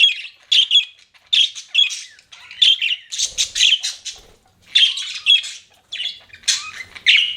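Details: Budgies kept as pets give a run of short, harsh, scratchy chirps and squawks in separate bursts about half a second apart, a few sharper squeaky notes rising above the chatter, with quiet gaps between.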